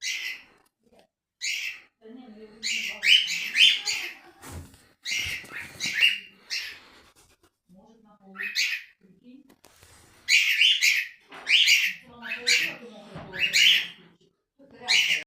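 A cockatiel gives loud, shrill, rising contact calls again and again, calling out for a missing companion.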